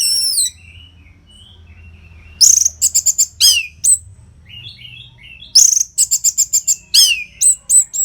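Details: Orange-headed thrush masteran song, a tutor recording for training competition birds. Bursts of high, sharp whistled notes and downslurred phrases alternate with short pauses, with some quieter twittering between them.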